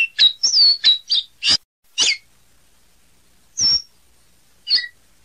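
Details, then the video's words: Caboclinho singing a burst of high, pure whistles and downward slurs, then pausing, with two more isolated whistled notes after a silent interval. "Canto do Caboclinho"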